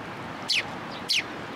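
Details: Sparrow coming to take food from a post at a Tenmangu shrine, recorded 9 November 2022; two sharp, high chirps, each sliding steeply downward, about half a second apart over a quiet background hiss.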